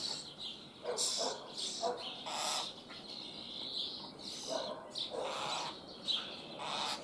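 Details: Young common starlings kept in a cage in Liepāja, Latvia, recorded in May 2024 with city sounds behind: harsh, broadband rasping calls with buzzy upper tones, several bursts of varying length in quick succession.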